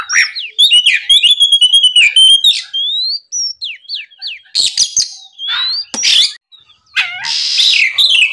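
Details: Energetic morning song of an Oriental magpie-robin, meant to provoke rivals: a fast stream of whistles and chips, then scattered down-slurred notes and several loud, noisy rasping bursts.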